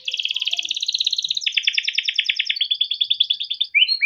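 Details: Yellow canary, a caged male in Indonesia, sings a long rolling song used to train young canaries: a fast high trill, then a lower rattling tour and a short falling note at the end.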